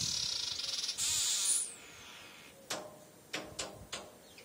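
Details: Male weaver bird attacking its own reflection in a mirror, as it does every morning: a harsh, sizzling buzz with rapid pulses, a thin rising-then-falling whistle, then several sharp taps.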